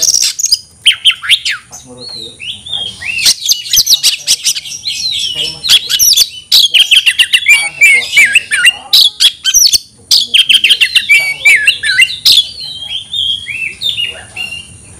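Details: Oriental magpie-robin (kacer) shouting to call a fighting opponent: a long, varied stream of rapid sharp notes, slurred whistles and scratchy chatter, broken by a few short pauses, with a steady faint high hiss behind it.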